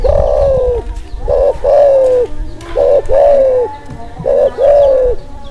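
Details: Spotted dove in breeding mood, used to stir silent doves and to lure birds: loud, mellow coos in repeated phrases, each a short note followed by a longer, slightly falling coo, roughly every two seconds.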